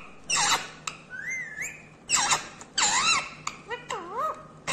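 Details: Talking parrot uttering harmonic, wavering syllables in quick sequence: rising and falling tonal sounds between harsh broadband bursts, repeated several times in a few seconds.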